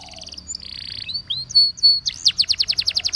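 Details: Waterslager canary singing for canary training: a soft trill and a brief buzzy patch, then clear level whistles rising in loudness into a steady series of looping notes about five per second.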